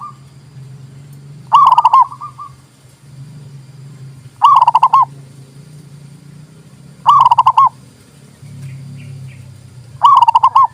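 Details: Zebra dove song, recorded to coax silent doves into singing and to lure birds: four loud, pulsing cooing phrases near one pitch, each about half a second, spaced roughly three seconds apart, with a faint low hum beneath.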